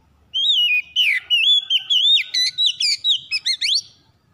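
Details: Oriental magpie-robin song used as a lure recording to coax reluctant magpie-robins into full singing: a long run of loud, clear whistled notes, sliding and looping, then rapid short upswept phrases near the end.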